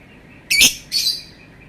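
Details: Lovebird giving two shrill, harsh chirps about half a second apart, the first sharper and louder, the second slightly softer and trailing off, against a quiet background.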